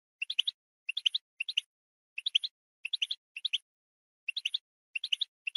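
A goldfinch sings quick bursts of three or four high, tinkling twittered notes, repeated every half second or so against a silent background.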